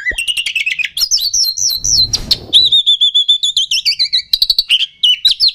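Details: Rival-provoking oriental magpie-robin song with quick warbled notes, a brief noisy rasp, then a long wavering whistled trill and a string of sharp repeated chips.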